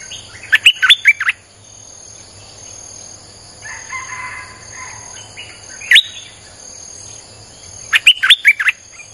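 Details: Streak-eared bulbul song in the nonstop 'sap dok' style, played to lure wild birds: short bright chirpy phrases of four to six quick up-and-down notes, repeated three times, with fainter warbling from other birds between phrases.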